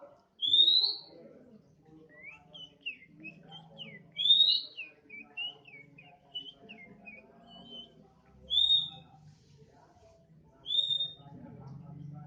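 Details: Untrained 'bahan' oriental magpie-robin in 'nembak' style, now singing often: loud rising whistles every few seconds, separated by a run of softer short twittering notes, with low background hum.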